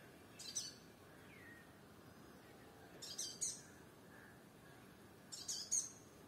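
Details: A sunbird on a firebush in Kerala gives three brief bursts of high, thin, chittering calls, a few seconds apart, over a steady low background hum.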